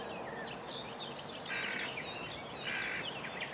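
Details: Hooded crow at Joachimów-Mogiły reservoir, 27 May 2017, giving two harsh, hoarse caws about a second apart, while smaller birds twitter thinly and high in the background.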